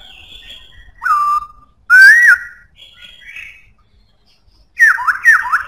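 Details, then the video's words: Black-throated laughingthrush in loud, strong voice, giving a falling whistle, a longer rising-and-falling whistled phrase, softer high notes, then a pair of quick descending whistled slurs. "Khướu bạc má hót cực hay,giọng khỏe"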